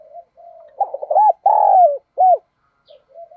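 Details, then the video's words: Caged decoy spotted dove calling to lure wild birds: one cooing phrase of quick stuttered notes, a long drawn-out coo and a short final coo, framed by soft quiet cooing before and after. "Tiếng Chim Cu Mồi Kích Bổi Nhanh Nổi Hiệu Quả Nhát 2022"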